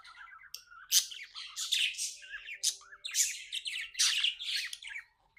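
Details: Pet budgie chirping happily, producing a run of loud scratchy chirps and grating notes mixed with softer twittering warble.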